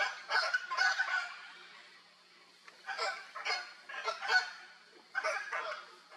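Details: Hyacinth Macaws playing in the wild in Brazil give spaced, coarse squawks, a pair at the start, a cluster of three midway and a final pair, with brief quiet gaps.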